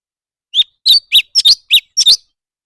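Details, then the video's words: Leafbird singing in a song competition, a string of seven crisp high chirps, several of them paired into quick double notes, evenly spaced across a second and a half with no other sounds. "thanh tước hót đấu"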